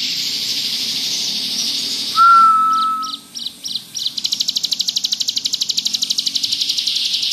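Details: Bar-winged prinia (ciblek gunung) singing lively in the ngebrem style, used as tutor song. A long sharp buzzy trill of fast high pulses runs for three seconds, after a few clipped notes and a single flat lower whistle.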